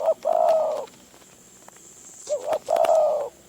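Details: Wild spotted dove from the forests of Phrae, Thailand, drawn in by a decoy: two soft, mellow cooing phrases separated by a short pause, over a steady faint high whine.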